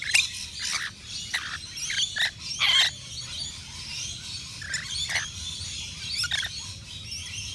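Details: Native Australian rainbow lorikeets feeding at a balcony nectar feeder; repeated shrill screeches and buzzy chatter arrive every second or so over steady high background twittering.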